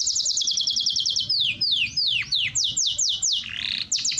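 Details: A canary's training song, also said to excite females for breeding: a rapid high trill, then widely spaced sweeping notes dropping steeply, and a brief fast trill at the end.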